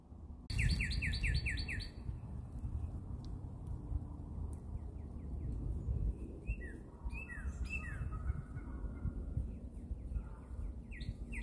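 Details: Bird song outdoors: a quick series of bright, downward-slurred chirps in a rapid run, then scattered sharp tweets and descending whistled notes, over steady low rumbling background noise.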